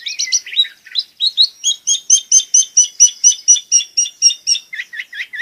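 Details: Long-tailed shrike in lively 'gacor' singing, used to provoke quiet shrikes into singing and to tutor young birds; rapid chattering string of bright paired notes, roughly two per second, closing with lower descending chips.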